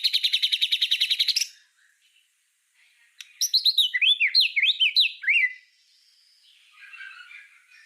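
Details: Master song of a white-rumped shama, used to tutor other songbirds: a rapid repeated trill, a pause, then a varied run of sharp zigzagging whistled notes fading into soft twitters.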